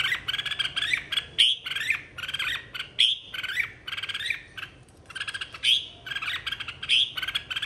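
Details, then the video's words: Stirred-up contest song of a red-whiskered bulbul, 2023, meant to call the flock: quick chirpy phrases tumbling one after another, with ringing high whistles recurring about every one and a half seconds. "Chào mào hót đấu 2023- Kích bổi hót - Gọi bầy"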